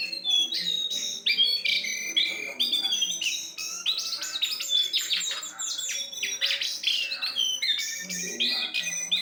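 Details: Jongkangan song recorded for use as a lure: dense, rapid high chirps and sharp whistled notes in quick bursts, some descending trills, with a faint low murmur beneath.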